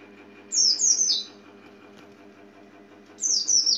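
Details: Oriental white-eye giving a short burst of three high, falling chirps, then a silent gap before a second brief burst begins, with a low hum underneath.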